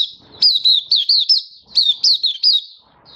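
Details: Malaysian white-eye (mata puteh), recorded in Singapore on 20 March 2023 in stable, sunny, warm weather, doing happy 'buka' singing. Two tight phrases of four or five high, bright, downslurred chirps each.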